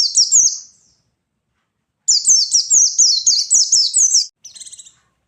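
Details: Ngalas song of a chattering white-eye meant to rouse rival birds: a short burst, silence, then a fast run of high, falling whistled notes ending in a buzzier trill.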